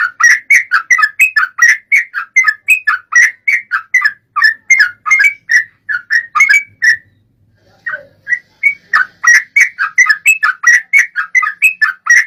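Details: Sooty-headed bulbul song played to prompt another bird to sing: a long, rapid chain of liquid, warbled whistles, paused briefly midway, then resuming at the same brisk pace.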